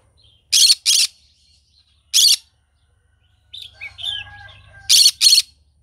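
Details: Green-cheeked conure in the morning giving harsh, raspy squawks, mostly in pairs, with a stretch of softer whistled chatter and squeaks in between.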